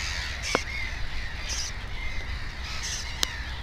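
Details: A black-headed gull pair's nest with two chicks, 15 May 2016: short harsh calls, some clearer and thinner, among other gulls, with two sharp clicks and a low rumble.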